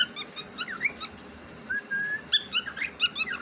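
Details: Pet cockatiel, described as talking, chatters busily in quick chirps and upward-sweeping whistles, broken by one long level whistled note midway, then rapid chirping resumes.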